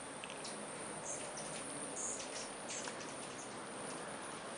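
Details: A swarm of hummingbirds, likely spring migrants passing through, crowds the feeders in early spring. They give thin, very high chips in scattered short bursts, several close together, over a steady hiss.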